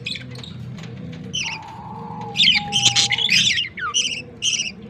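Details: Budgerigar chicks being fed by an adult male, October 18, 2023. Quiet start with a thin steady tone, then loud scratchy, buzzy begging bursts and a few short downward squeaks, over faint hum.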